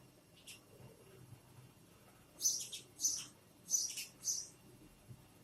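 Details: Sparrow making different noises: a quick series of short, very high, sharp chirps in clusters of about four, some doubled, with faint low background hum.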